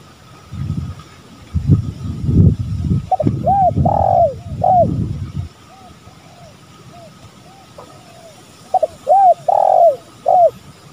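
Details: Spotted doves, male and female, in a lure recording: a coo phrase overlapping low rumbling noise, then quieter distant coos, then a clean phrase of short notes, a long burred coo and a closing note.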